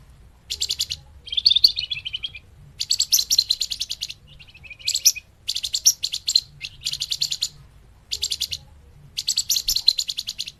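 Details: Scarlet minivet lure recording for bird trapping: rapid chattering chirp series in repeated bursts, some lower, drawn-out trilled phrases between them, and brief gaps of silence.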